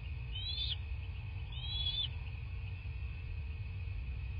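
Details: Wild bald eagles at their nest in rural southwest Florida, recorded by nest camera on 14 March 2024 at 09:20: two high, thin, chittering call phrases about a second apart over a constant low rumble and hum.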